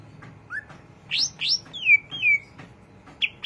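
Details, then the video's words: Greater green leafbird in ngriwik song: a short rising note, then sweeping high upslurs and clear descending whistles, ending with a brief high double note. "cucak ijo rajin ngriwik"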